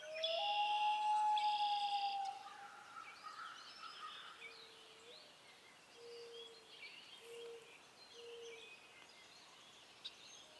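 A common loon gives a long, mournful note that swells slightly upward for about two seconds, then softer short hoots; small birds chirp faintly behind.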